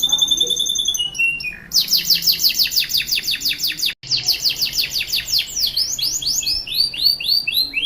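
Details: Captive canary in Pancoran, Jakarta, delivering lively, melodious song in the 'cengkok mewah' style: high pure whistles stepping downward, a long run of quick repeated downslurs, a short pause, then arched chirps that gradually slow.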